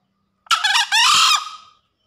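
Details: A green junglefowl, in breeding condition, crows once after heavy rain. The call is a coarse two-syllable crow, a short choppy note and then a sustained harsh note tailing off. No other sounds are present.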